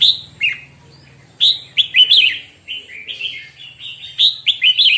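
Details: Red-whiskered bulbul practising its morning song: a fast, continuous run of bright whistled, warbling notes rising and dipping in pitch, with a low droning hum beneath the opening second.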